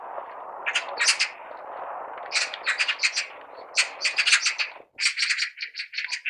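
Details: Scratchy magpie rattles come in clusters over a steady low background hiss, which drops away near the end while the bursts of chatter continue.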